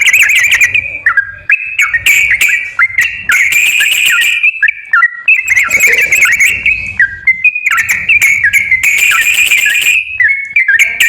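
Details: Lure song of the yellow-vented bulbul for a bird that will not sing. Chattering whistled phrases with downward slides and rough buzzy bursts carry on almost without pause.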